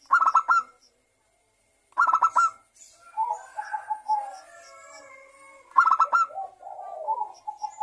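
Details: Zebra dove lure song for local and Bangkok perkutut: three loud harsh stuttered bursts, with warbling mid-pitched coos and faint higher whistles between them.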